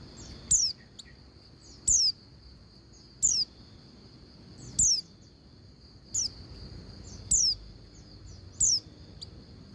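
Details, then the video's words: Calling female Oriental white-eye meant to make males sing and open their beaks; seven sharp, falling high whistles repeated roughly every 1.3 seconds, with faint softer chirps between them and a steady shrill hum. "Suara Pleci Betina Paling Efektif Bikin Pleci Jantan Cepat Bunyi Dan Buka Paruh"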